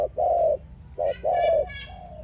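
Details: Low mellow dove coos meant to lure another dove into a trap, given as two short-then-long pairs, with a faint higher harmonic sound over the second pair.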